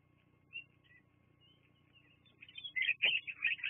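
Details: Bald eagle at a Fraser Point nest, live nature cam footage from 24 September 2022: faint, thin whistles at first, then a sudden loud, rapid string of high, cackling chirps at the end.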